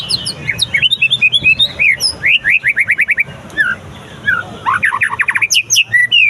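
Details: Caged white-rumped shama tested after moulting, singing loudly: rapid runs of sharp upslurred whistles, a quick series of about eight at two seconds, then varied clear notes and high sweeps, over a low steady hum.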